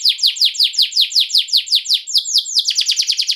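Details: Atlantic canary trill intended to lure replies from other canaries: repeated high falling notes in quick succession, nearly three per second, then a sustained tone and a fast rattling finish.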